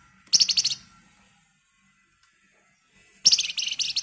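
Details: Flamboyan bird in agitated ngebren rapat song, a lure to prompt other birds to sing; a short, sharp, high rattle, a long pause, then a second rapid burst of scratchy, high notes lasting nearly a second.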